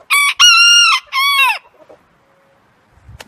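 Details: A heritage-breed rooster crows in three clear harmonic phrases, short, long, then falling, the whole crow lasting about a second and a half before near silence.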